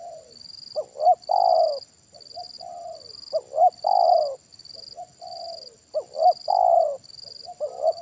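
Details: Loud kuk satu cooing of a Spotted dove used as a decoy in a trapping session. Rhythmic phrases of two short hoots and a strong falling coo, with quieter coos between, repeat over a steady shrill insect hum.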